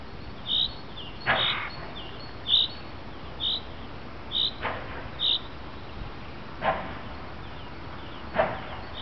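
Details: A common chaffinch in the afternoon gives short, sharp, high 'pink' call notes about once a second, with a few dull knocks in the background.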